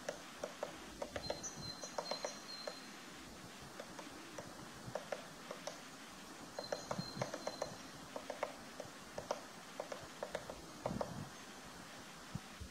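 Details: Eurasian three-toed woodpecker excavating its nest: irregular dry taps in loose bursts, with a thin high whistle twice in the background.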